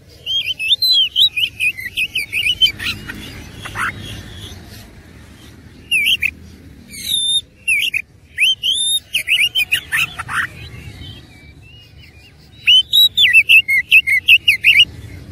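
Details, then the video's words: Oriental magpie-robin (kacer) singing persistently in fighting mode with a rich 'isian' fill: bursts of bright, sweeping whistles and sharp chirps in rapid runs, a pause near the middle, then a fresh run of looping notes. "KACER ISIAN MEWAH NGOTOT GACOR TARUNG"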